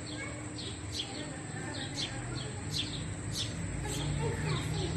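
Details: Young house sparrow looking on as parents feed chicks; quick high chirps tumble out several per second over constant low background hum.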